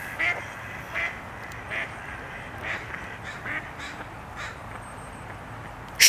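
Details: Mallards swimming toward a hunting coyote quack loudly at it: about six short, hoarse quacks roughly every second over a steady background hiss, ending with a sharp loud knock.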